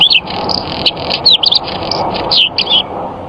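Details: White-eye song of high twittering notes and short upslurred whistles in irregular bursts, against a continuous low humming background.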